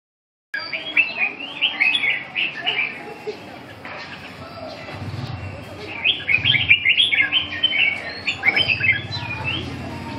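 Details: Red-whiskered bulbul singing during a training session: bursts of bright, warbled whistled phrases, rising and falling, in two main runs separated by a quieter pause, over a low background rumble and faint voices.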